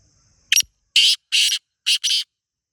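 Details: Black francolin (teetar) calling in the wild in Pakistan: a brief sharp note, then four loud harsh rasping notes in a pair-and-pair rhythm.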